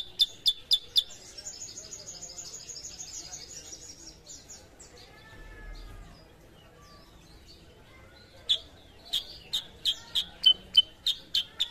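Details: Sooty-headed bulbul, a raw bird being brought into full singing: bursts of sharp, high, clipped notes repeated rapidly, a thin warbled trill between them, then another run of staccato notes.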